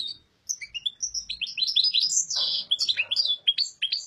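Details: European goldfinch, a kept bird, pouring out rapid liquid twitters and buzzy trills, high and continuous, with brief nasal notes mixed in.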